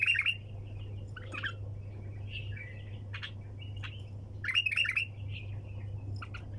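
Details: Nonstop 'tak janah' (wing-flick) calling of a bulbul in the 'sayyad' (hunter) style: loud squeaky warbled phrases at the start and again midway, linked by softer chirps and clicks, over a persistent low hum.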